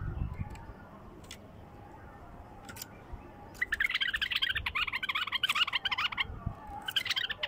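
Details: Bulbul singing in a raw, pure-voiced style: after a few faint scattered notes, a rapid chattering run of bright warbled phrases fills about two and a half seconds, pauses, then resumes briefly, over a low background rumble.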